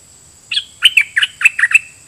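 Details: Red-whiskered bulbul decoy bird in dok taeng song style, singing at wild birds: a short phrase of bright, loud whistled notes, about six quick chirps with rising and falling turns, each clearly separated.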